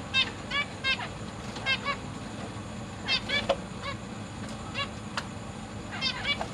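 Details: Captive zebra finches, parents feeding newly hatched chicks alongside three juveniles, August 2023; nasal honking beeps repeat in loose groups of two or three, with a few sharp clicks and a low steady hum.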